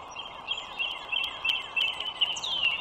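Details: Bald eagles, a wild pair nesting beside the Dulles Greenway toll road in northern Virginia, 21 March 2023, 09:15. Thin, rapid piping notes repeat evenly, then a brighter falling squeal closes the sequence.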